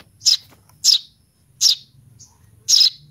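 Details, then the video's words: A baby sparrow, a Eurasian tree sparrow, calls for its mother with four loud, harsh begging chirps at uneven intervals of roughly a second, over a faint low hum. "suara anak burung gereja memanggil induk .baby sparrow calling for mom"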